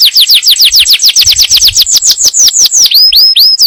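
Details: Yellow canary song to prepare the female for breeding and teach the young: rhythmic descending whistles several per second, closing with a few looping upswept notes.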